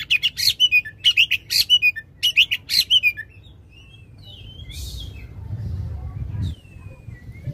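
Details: Loud oriental magpie-robin song with long 'shot' phrases, used to spur a silent magpie-robin into singing: four quick groups of sharp repeated chirps over three seconds, then soft sliding whistles over low background rumble.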